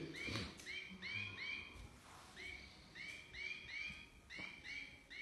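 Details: European goldfinch described as a first-class 'pisador' singer: a steady series of bright, arched twittering notes in quick succession, with faint outdoor background and a brief thump near the start.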